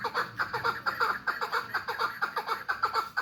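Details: Captive hybrid chukar partridge from Tajikistan giving a rapid, even series of hoarse, clucking chuk notes, roughly two per second, each with a rough nasal ring, in a small indoor space.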